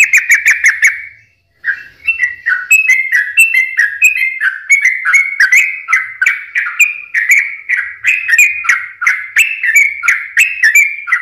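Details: Actively singing sooty-headed bulbul, used as a lure to prompt lazy or stressed birds: a short burst of clicking whistles, a silent gap, then a long run of regular bubbly whistled notes.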